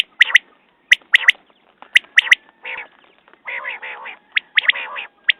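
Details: Quail: sharp paired and tripled notes open the sequence, followed by longer rasping, nasal calls and a few more crisp notes.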